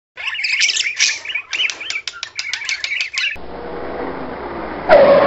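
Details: Budgerigars chatter in a fast, scratchy warble of chirps and squeaks for about three seconds, then a sudden crash and loud rushing noise, described as cars colliding, cut them off.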